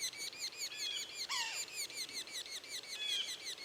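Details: Young Yellow-bellied Sapsuckers keep up a steady chorus of high, buzzy peeps while an adult gives one drooping, nasal mew, its standard call note. The young are fed about 15 seconds in, then go quieter while gulping their food.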